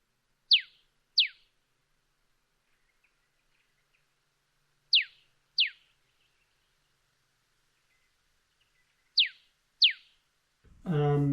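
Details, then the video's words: Eastern Yellow Robin whip-crack call, typically a double note: sharp, falling paired notes, three doubles spaced about four seconds apart, with a burst of noise cutting in at the end. "that's the whip crack call I was telling you about. It's typically a double note, as you can tell in the clip there."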